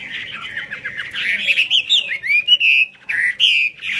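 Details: Fanned-tail hwamei song with an eagle-wing display: a chattering, tumbling start breaks into clear, sliding whistles and held notes, phrases coming in quick succession.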